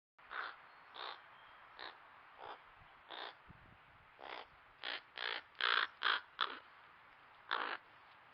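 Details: Crows at a backyard in Nova Scotia, Canada, caught by a trail camera, give a run of short harsh caws, about fourteen in eight seconds, spaced irregularly and bunching into a quicker burst near the end.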